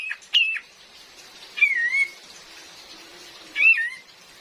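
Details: Female cream-vented bulbul used as a trapping lure in forest, with real rain: three separate whistled notes, each bending down then wavering up, spaced about 1.5 seconds apart, under a soft rain hiss.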